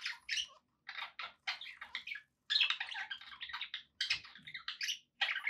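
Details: Several pet budgies warbling in a dense, scratchy stream of chirps and squeaky notes, broken by short silent gaps, with a faint low hum underneath in a small indoor room.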